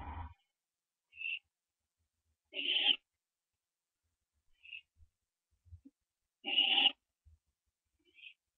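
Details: Barn owl owlets at branching time, 4:07 AM on 15 September 2011; brief harsh hissing calls spaced unevenly about every two seconds, some longer and rougher, with light knocks between them in a quiet setting.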